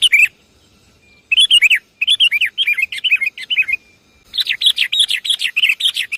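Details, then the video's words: Javanese sooty-headed bulbul used as a lure: short bursts of rich, bubbling whistled notes separated by brief silences, ending in a longer lively burst of rising and falling chirps. "Suara pikat burung kutilang paling banyak di cari"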